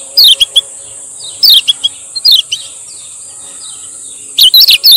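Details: Lombok Lemon-bellied white-eye, male, meant for training and luring: spaced pairs of sharp high downslurred chirps with quiet gaps between, over a continuous thin high whine.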